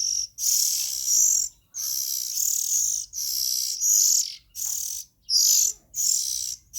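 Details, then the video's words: Young Oriental magpie-robins give harsh, hissing high-pitched calls in bursts of about half a second to a second, roughly eight of them separated by short silences, with no other sounds. "Tiếng Chim Chích Chòe Than Non Kêu Hay Nhất"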